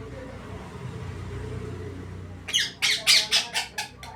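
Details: Parrot, called mithu, giving a rapid series of about six harsh, loud squawks in the second half, after a stretch of low background hum.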